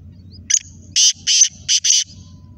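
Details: Black francolin (kala teetar) calling. A harsh, buzzy phrase of five loud bursts: one short note, then four longer grating notes in two closely spaced pairs. A faint low hum runs underneath.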